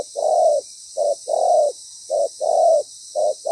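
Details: Spotted dove decoy bird, moulting and wary, calling loudly during trapping with a well-structured pattern: low, hoarse cooing notes alternating long and short, about seven in under four seconds, over a steady high background hiss.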